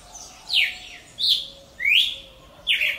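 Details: Cardinal of the genus Paroaria singing in nature: loud clear whistled notes, some sweeping down and others rising, about one every 0.7 seconds, with a faint steady low tone underneath.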